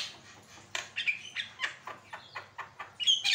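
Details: Javan myna, a caged songbird in full song, used as a training recording for other caged birds: a run of short harsh chattering notes about every quarter second, with sharp whistled squeaks near the end.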